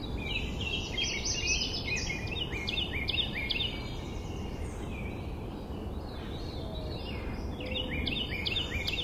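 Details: Carolina wren in the south meadows on 18 June 2024 singing a loud, rolling run of repeated two-part whistled phrases, several each second, over a steady low rumble of wind or distant traffic.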